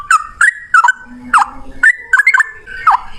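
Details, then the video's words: Brief burst of yellow-vented bulbul song in the 'ropel' style: loud, slurred whistled notes that drop and rise, given in quick clusters, with a faint low hum beneath. "Burung trucukan gacor ropel 1 nafas panjang volume cucak rowo"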